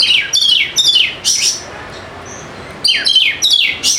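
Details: Lure recording of a kacer, or Oriental magpie-robin, to coax quiet birds into singing: dense volleys of loud, ringing, downslurred whistles and chirps, a quiet gap in the middle, then further rapid bursts.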